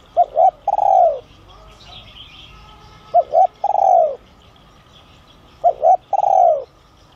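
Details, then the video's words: Spotted dove of giọng son voice type, calling to draw in wild doves: three phrases each of two brief coos and a long falling coo, about every three seconds; faint twitters behind. "Chim Cu Gáy GIỌNG SON kích bổi| | tiếng cu gáy gáy gọi , thúc kích mồi, gọi bổi đến"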